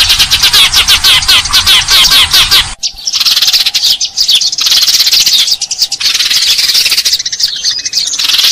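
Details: House sparrow lure recording: a rapid run of sharp, repeated chirps for nearly three seconds, then a denser, hissy wash of overlapping high chirping from many birds.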